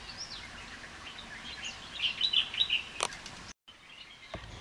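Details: Asian fairy-bluebird calling with a quick run of clear, liquid whistled notes, loudest in the middle, followed by a sharp click and a brief dropout before quiet forest background resumes.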